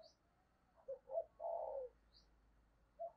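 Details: Spotted dove lure bird cooing to attract wild birds: a few short low notes lead into a longer rolling coo, then another begins. Faint background hiss and thin high chirps from another bird.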